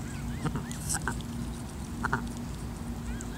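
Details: A goose mother, guarding increasingly brave goslings, hisses with a steady, breathy rasp broken by a few short sharper notes, over a low background rumble.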